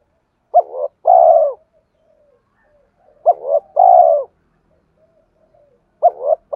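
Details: Spotted dove cooing meant to excite and lure other doves: a short two-note phrase, a brief sharp coo and a longer rolling one, repeated roughly every three seconds with faint murmurs between.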